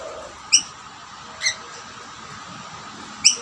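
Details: Rainbow lorikeets gathered at two plates of snack, where a dominant male chases other birds from the food: three short, sharp, high chirps spaced about a second apart over a steady faint hum.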